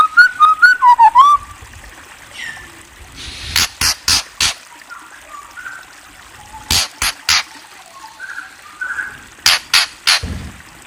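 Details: White-rumped shama singing: a quick run of clear whistled notes dipping and rising, then a series of sharp, dry clicking bursts and a few soft, short warbles in between.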